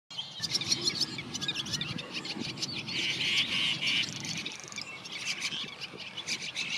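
A young brown rock chat gives busy, high, thin chirps, about three a second, with a brief sustained squeaky note midway; faint low background rumble.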